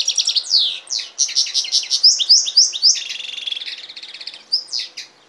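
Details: European goldfinch and canary hybrid song, a loud continuous run of high sweeping whistles and quick twittering notes, with a buzzy trill in the middle and a few final slurred notes.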